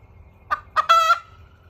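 A hen crows: two clipped notes, then a longer, strained, harmonic note that ends abruptly. A faint low hum runs underneath.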